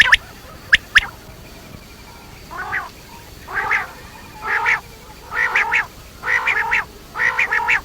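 A quail gives short nasal, harmonic calls about once a second, each with a slight stutter, after a few sharp clicks at the start.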